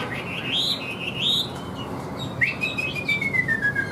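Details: Chinese hwamei, a caged bird praised as singing well with a steady voice, gives clear swooping whistles, then one long bright whistle sliding gradually downward.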